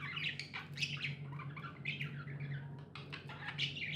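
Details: Pet budgies give continuous scratchy chattering chirps and squawks, several voices overlapping, with a prominent low humming drone underneath.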